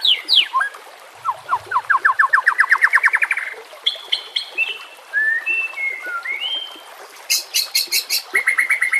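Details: White-rumped shama song used to train captive birds, a 'full nembak' display with varied repertoire: a fast rising series of whistled notes, then slurred whistles and sharp repeated chips, one loud burst after another.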